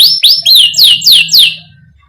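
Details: Short burst of lively canary song for coaxing young canaries to sing: five loud, clear downslurred whistles in quick succession, fading out at the end.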